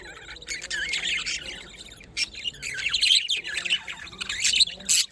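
Budgerigars chatter in a dense stream of quick, high chirps and warbling squeaks.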